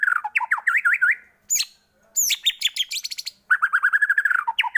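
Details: White-rumped shama song used as a lure to rouse other shamas into singing; rich varied phrases of quick looping whistles, a sharp high burst, then rapid rolling notes and a falling slur.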